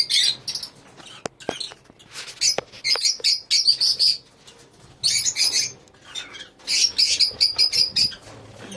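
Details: Shrill, high-pitched chirps from lovebirds in a colony, coming in bursts of rapid squeaky notes separated by short quieter gaps with clicks.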